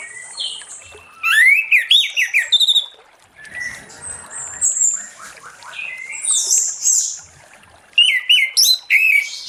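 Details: Late-afternoon ngeplong singing by an orange-headed thrush, used to lure rivals into song. Two bursts of rapid, loud whistled notes, rising and falling, are separated by softer chattering and chirps from other birds.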